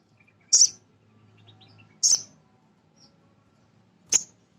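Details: Male sogon sunbird singing to excite other birds: three piercing high chirps spaced about one and a half to two seconds apart, with a faint low hum between the first two.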